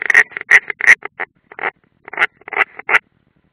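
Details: At a nest in the Ādaži training ground, Latvia, 30 June 2016, an unringed European roller gives a fast, uneven chatter of short grating rasps, several per second, louder at the start and in the final second.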